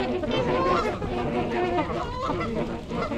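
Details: Wintering trumpeter swans, a group of 42 adults and juveniles at Gallup Park in Ann Arbor, Michigan, January 8, 2022, GoPro recording; a dense chorus of short, wavering horn-like honks overlapping continuously, over low rumbling noise.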